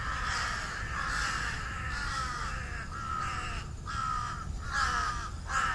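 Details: Crows in treetops near their nests at dusk before dark: many harsh, grating caws overlapping continuously, loud throughout, with steady low background rumble.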